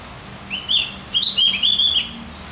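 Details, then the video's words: Javan grey-throated white-eye singing to stimulate other birds: a short rising note, then a lively string of quick, high, twittering chirps lasting about a second. "Masteran buat burung OPIOR JAWA agar tambah emosi"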